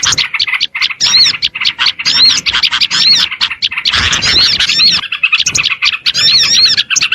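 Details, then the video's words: Crowd of small birds on luring audio, quick high chips and buzzy twitters interspersed with arching whistled phrases, calls packed tightly with little silence. "AUDIO SUARA PIKAT BURUNG KECIL PASTI LANGSUNG NEMPEL DAN DI SERBU"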